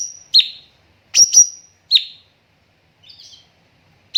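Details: Cucak cungkok master recording for training birds: sharp, downslurred high chirps spaced about a second apart, with a doubled whistled note and a soft warble.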